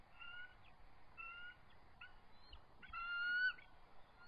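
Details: Eagle at the nest calling in a territorial dispute with an intruder, evening of March 23, 2014; spaced, flat, harmonic whistled notes, then a louder sustained piping note, over background hiss.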